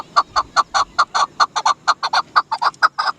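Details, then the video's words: Chukar partridge, called dasi chakor, repeating loud, low clucking chak notes about twice a second, some notes paired, in a clean recording. "Amazing sound of Dasi chakor"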